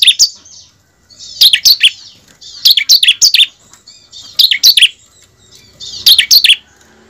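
A bar-winged prinia sings short bursts of high, sharp chirping notes. Each burst comes in a rapid cluster and repeats about every one and a half seconds.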